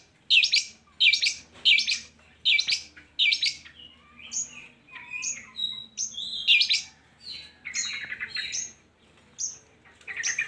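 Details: Long-tailed shrike song aimed at getting lazy shrikes to sing: five loud harsh chirps at steady spacing, then a varied medley of whistles, buzzy notes and scratchy phrases.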